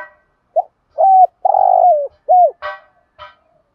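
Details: Spotted dove lure coos meant to excite other doves: a run of short arched low notes and one longer coo, followed by two sharp knocking sounds.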